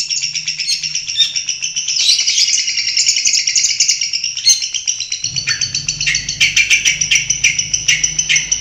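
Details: In its natural habitat, a Long-tailed shrike pours out a sustained, high, trilling warble that breaks into quick, evenly pulsed chirps in the second half, with a low background hum.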